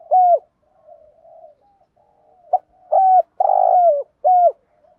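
Spotted dove giving soft, hollow coos, each note rising then sliding down, used to provoke rivals.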